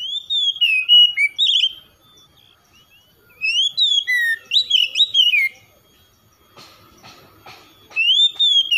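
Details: Kacer, or oriental magpie-robin, singing gacor-style: rich slurred whistles and quick chirps in phrases of about two seconds with short pauses between, plus soft clicking and tapping noises in the background.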